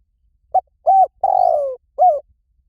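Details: [1, 'yes', 'call', 'Spotted dove calling: a short soft coo, then a longer coo, a drawn-out falling coo and a final coo. The notes are low, mellow and hollow, with clean silence between them.']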